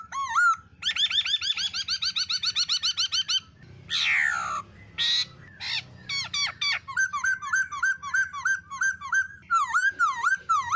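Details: Black-throated laughingthrush; calls; stimulating other birds to sing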